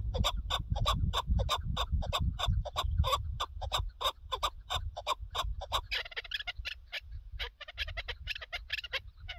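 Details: Chukar partridge on a partridge hunt: evenly repeated clucking chuk notes that speed into a denser, chattering rally near the end, over low background rumble.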